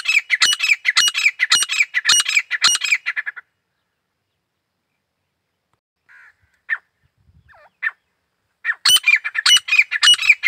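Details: Grey francolin (Desi Teetar) calling: a series of about six loud, harsh, evenly repeated squawking phrases, a long quiet gap with a few faint notes, then the harsh repeated phrases return.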